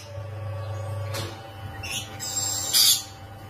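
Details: Rainbow lorikeets in a cage during mating make a few scratchy, high shrieks, the last one loudest, over a steady low hum.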